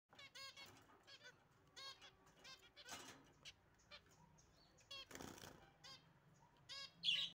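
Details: Several finches in a finch colony house chatter with short, nasal, stacked calls, each repeated in quick bursts, broken by a couple of soft fluttering wingbeats.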